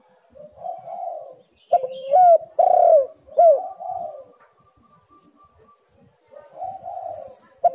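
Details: Spotted dove coo series, used as a lure to make reluctant birds call. Soft rolling coos build into several loud, bending, hooked notes, then fall quiet before another soft coo and a final sharp note.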